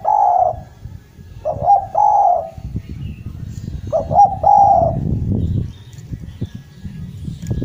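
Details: Javan Sunda collared dove, a lure bird singing vigorously, gives low hollow cooing phrases of two to three notes, repeated in three bursts, over crackling low rumbling background noise.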